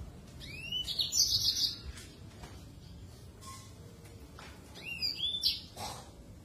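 Yellow-fronted canary singing two bright bursts, each a few rising whistled slurs running into a quick high twitter, separated by a pause over a low background hum.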